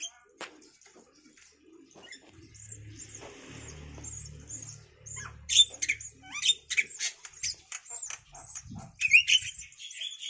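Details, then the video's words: Five-day-old Javan myna nestlings begging while the male and female take turns feeding them grasshoppers and caterpillars; a low hum and soft rasp come first, then loud, scratchy squeals burst in irregular clusters through the second half. "Indukan Burung Jalak meloloh Anaknya"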